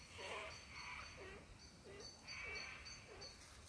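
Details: Courting male superb lyrebird, found wild in the Dandenongs, showing off to a female with a steady series of looping, swooping notes, about six evenly spaced phrases with thin high tones above.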